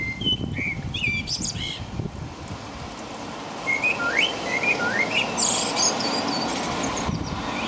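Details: Common blackbird singing in the rain in the middle of the night at about 5 a.m. in England: several clear whistled phrases around mid pitch, some rising, with thin high twitters, over steady rain patter and low traffic rumble.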